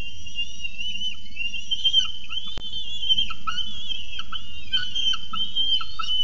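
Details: Falcon nestlings in Orange, 26 October 2018, loudly begging for their evening meal with an unbroken, quavering high whistle that bends and wobbles, interrupted by short lower chirps repeated several times and a single sharp knock.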